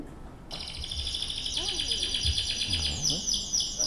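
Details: A recorded canary sings a continuous, bright, rolling warble of rapid high trills and whistled notes, with faint voices murmuring underneath.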